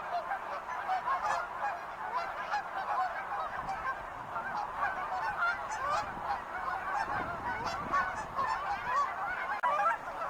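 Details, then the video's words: Many wild geese honking at once, a steady overlapping clamour of harsh nasal calls lasting throughout, with a brief low rumble near the middle. "sounds of wild geese"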